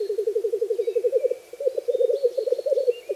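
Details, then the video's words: Black grouse (Lyrurus tetrix) lekking on a frosty bog on a spring morning, displaying and giving the mating call: a low, rapid, continuous dove-like bubbling rookoo, with faint thin whistles from other birds above. "black GROUSE call and displaying"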